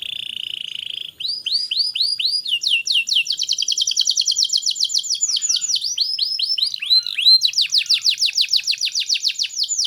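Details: Canary song used to stimulate young canaries to sing; a short steady whistled note, then long, quickening runs of high downslurred whistles, several per second, with no other sounds.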